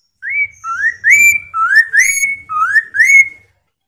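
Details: Loud whistled song of a Chinese hwamei, meant to prompt other birds to answer and sing: a brisk string of upward-sliding notes in pairs, low then higher, repeated about four times with brief gaps, little background.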